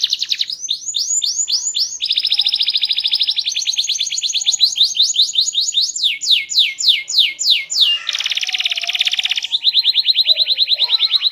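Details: Small-bodied canary singing loud, varied, melodious phrases: repeated upswept notes, long fast trills, a series of downslurred whistles, then a harsh buzzy burst and another rapid trill.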